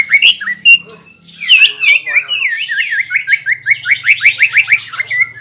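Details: Caged greater green leafbird song meant to provoke a rival: a run of varied slurred whistles and chattering notes, quickening into a steady series of sharp repeated chips, over a soft low hum.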